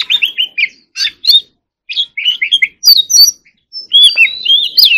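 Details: Competition-style song of a White-rumped shama: clusters of rapid chirps and warbled whistles, short bursts separated by gaps of about half a second, ending in a longer sweeping phrase.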